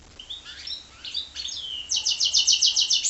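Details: Goldfinch and canary hybrid singing: a few scattered high chirps and slurred notes, then a fast run of bright trilled syllables repeated about four per second near the end.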